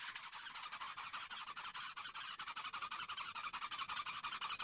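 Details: Baby Greater Coucal demanding food with a rapid series of harsh, raspy, hissing pulses, about three per second, steady and insistent throughout, loud and close.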